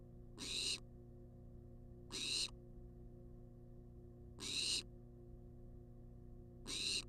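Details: Begging wild barn owl in a research nest box, filmed by a live camera as it demands food: four long, snore-like hisses spaced a little over two seconds apart, low background hum throughout.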